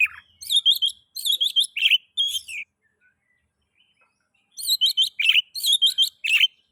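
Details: Oriental magpie-robin song used as a lure to get other magpie-robins singing: two bursts of quick, bright chirping notes with slurred whistles, separated by a two-second quiet gap.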